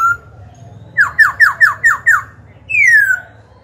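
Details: Young kept black-throated laughingthrush singing to provoke rival birds and train young birds: a run of six loud, quick downward-slurred whistles, then one longer falling whistle, with a faint low hum underneath.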